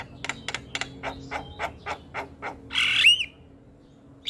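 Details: Javan myna in lively nonstop chattering song: a run of harsh, clicking broadband notes about every quarter second, then a loud rasping squawk with a short upward whistle, and a steady low hum beneath.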